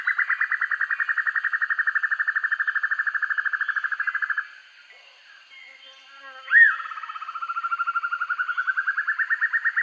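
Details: Master recording of the black-and-yellow broadbill for bird training: a long even trill of rapid pulses for over four seconds, a brief pause, a single upward-swept note, then another trill that gradually quickens and rises.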